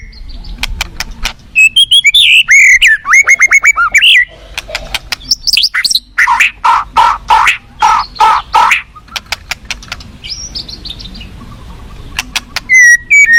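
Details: Wild forest white-rumped shama delivers a varied song: sweet slurred whistles, then a rapid series of harsh chattering notes, sharp ticks throughout and a high whistle near the end, with soft low river rumble beneath.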